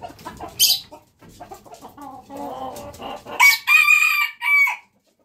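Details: Jungle fowl rooster giving a run of soft, low clucks and chatter, then one loud, drawn-out, strained crow in two parts that ends abruptly into silence.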